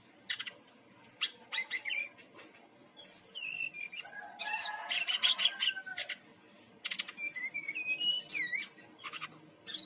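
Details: Brown-chested jungle flycatcher from Bali singing, meant to prompt birds to sing: sharp clicks and chips, a dense burst of trilled twittering, and sweeping slurred whistles.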